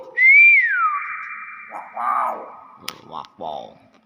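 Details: Nias hill myna in its natural voice: a loud clear whistle rises then slides down and holds steady, followed by short harsh speech-like syllables and a sharp click, with indoor echo.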